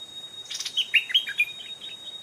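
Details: Bubbly, liquid warble from a wild old stripe-throated bulbul that twice came up to a trap holding a caged decoy: a rustly onset, then a string of rolling whistled notes trailing off, over a steady insect drone.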